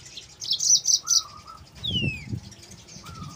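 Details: Yellow-fronted canary (mozambik) song used as a training lure for other canaries: brief high chirpy bursts, a falling whistled slur and low whistled notes, with faint background rumble.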